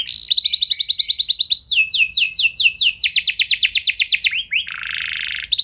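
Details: Singing kenari meant to excite other canaries into singing: a run of quick rising notes gives way to descending swept whistles, then a harsh buzzy phrase and a final high note.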